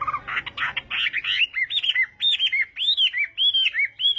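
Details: Morning practice song of a Chinese hwamei in contest style, opening with harsh buzzy bursts, then clear arched whistles repeated about twice per second.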